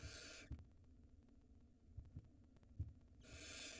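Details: Barn owl nestling at its nest on a live cam in Israel, 2022 breeding season, swallowing a rodent while its mother checks outside; two harsh, broadband hissing bursts at the start and end, with soft low thumps between.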